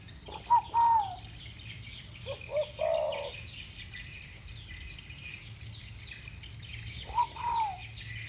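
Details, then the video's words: Two spotted doves of the 'thổ bầu' voice type trade coos: a clear falling coo near the start, a lower stuttering phrase around the second and third seconds, then another falling coo near the end, with faint high bird chatter behind. "Tiếng chim cu gáy giọng thổ bầu. 2 con giọng thổ bầu solo với nhau"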